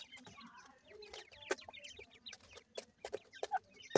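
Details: Growing francolin chicks (Irani teetar) calling: many short, high chirps and peeps, some rising or falling, rapid and irregular, mixed with sharp clicking and tapping sounds.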